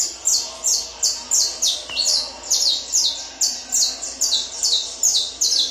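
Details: Peruvian saffron finch under tournament training sings a brisk, regular sequence of loud, high notes that slide downward, about two to three per second, with one soft tap in the background.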